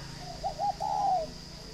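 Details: One phrase from a captive northern Vietnamese spotted dove at a Ba Vì farm: two short hollow notes followed by a longer, gently falling coo, clear against a quiet hum.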